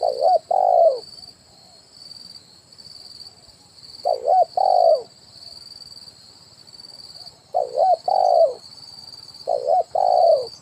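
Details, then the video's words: Decoy coos of a spotted dove in the 'kuk 1' style, used to attract wild birds for trapping at branch and ground: four phrases of a warbling double note plus a long falling coo, with pauses of two to three seconds. A steady high ringing runs throughout. "SUARA PANCINGAN BURUNG TEKUKUR,KUK 1 DI RANTING &TANAH"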